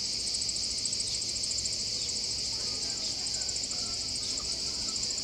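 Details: A second brood of Eurasian wryneck chicks begs from a nest box in Alzira, Spain, on 29 July 2015, at 35°C and 80% humidity. The parents are feeding them, and a steady, high, insect-like buzzing chorus runs without pause over a faint low hum.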